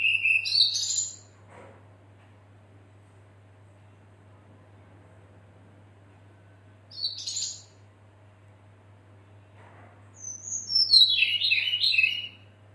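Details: Female red-billed leiothrix call meant to draw the male and prompt other birds to sing. Three separate bursts of high chattering notes, the last a longer cascading run that falls in pitch.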